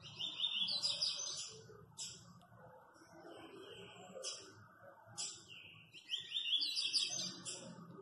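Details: A very fast-singing captive double-collared seedeater sings rapid bursts of high, twittering notes, each phrase a second or two long with brief pauses between, over a faint low hum.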